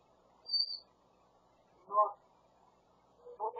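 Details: Grey parrot gives a short, high whistle, then two brief word-like utterances mimicking human speech, imitating the voice of the owner's husband; a talking pet grey parrot.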